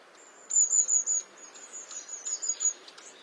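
Long-tailed tit giving thin, very high-pitched notes in quick runs, three louder bursts then a softer series, over faint background hiss.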